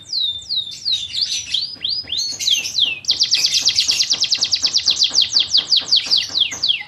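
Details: Song of a fighting canary kept for training: varied looping whistled slurs at first, then a long rapid series of high down-swept notes repeated evenly.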